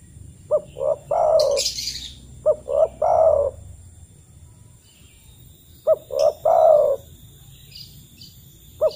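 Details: Spotted dove lure call, the kind given in the wild to call other doves: repeated phrases of two or three short low notes running into a longer swelling coo, with phrases several seconds apart and faint high chirps in between.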